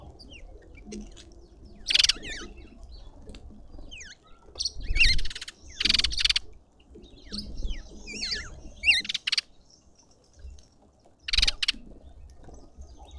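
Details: Green wood hoopoe at close range in a suburban Pretoria garden, South Africa: short bursts of harsh broadband cackling, several spaced a few seconds apart, between thin wavering whistles from other birds.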